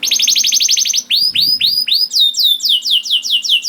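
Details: Juvenile canary song meant to get hesitant canaries singing: a rapid buzzing trill, then a series of loud, sweeping down-slurred whistles in steady rhythm, about four a second.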